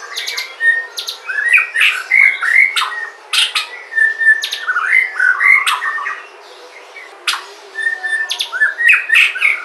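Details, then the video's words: Natural song of a white-rumped shama from Sumatra, played to prompt other shamas: varied warbling phrases mixed with sharp, high, clicking notes and short whistles, broken by brief pauses. "Pancingan suara murai batu asli sumatra, suara asli alam."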